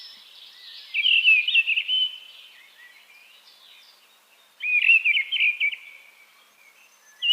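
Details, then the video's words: Mistle thrush singing two short, loud, fluty warbling phrases about three and a half seconds apart, each made of a few quick whistled notes, with quiet pauses between them and the start of a third phrase at the end. "Голоса птиц: деряба"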